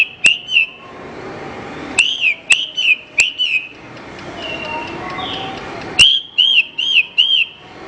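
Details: Horsfield's bush lark song for training other birds: sharp slurred whistles broken by loud clicks, soft high chatter in the middle, ending in a brisk run of four rising-falling whistles.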